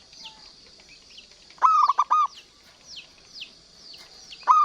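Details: Local zebra dove (perkutut) in active song, used as a lure and training recording for quiet doves: a low, trilled cooing phrase of three or four rolling notes, repeated, over repeated high descending whistles from other birds.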